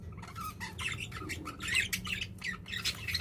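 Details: Budgerigars, kept together as pets and eating, giving continuous rapid squawky chirps and warbling chatter, busy and overlapping throughout.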